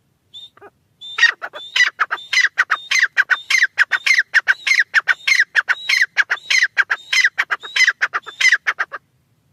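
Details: Francolin calling: a loud, harsh, rapid series of grating notes mixed with short high whistled tones, repeated steadily for about eight seconds with no other sounds.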